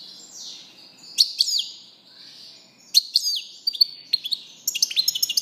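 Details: European goldfinch producing drawn-out, slurred high whistles mixed with sharp, descending chirps, ending in a fast run of tinkling notes.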